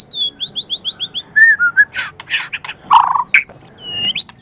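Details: White-rumped shama kept as a caged songbird: a series of six high rising whistles, then lower slurred notes and harsh burry bursts.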